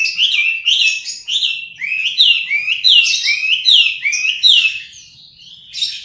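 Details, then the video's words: Song of a Chinese hwamei: a string of clear, loud, upslurred whistles repeated roughly every half second, each with rich overtones, fading toward the end before a final burst. "Hwamei Singing"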